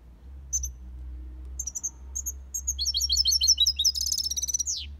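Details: European goldfinch singing the 'copia Malaga' song in an aviary: a few isolated high chirps lead into rapid twittering, a buzzy trill and a sweeping descending note, with low hum behind.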